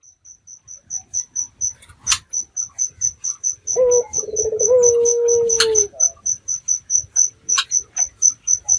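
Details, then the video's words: Red-eyed dove, a local bird recorded at night as a lure to make other doves answer: one throaty, slurred coo of about two seconds, gliding slightly downward, over a steady ticking insect chorus with faint rustles. "Pancingan Burung Puter Mata Merah Gacor"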